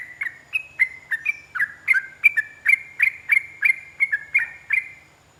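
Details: Yellow-vented bulbul delivering an extended rapid 'ropel' song used as training material to prompt caged bulbuls to answer. A steady stream of short, clipped, slurred notes, roughly three per second, with faint low background hum.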